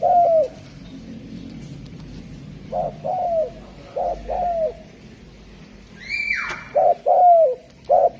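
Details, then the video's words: ['Derkuku (spotted dove) from Java repeating low coo pairs, with a longer falling note following each short one. Quieter phrases come first, then louder ones. A bright descending whistle from another source cuts in partway through.'] "Suara Burung Derkuku Jawa"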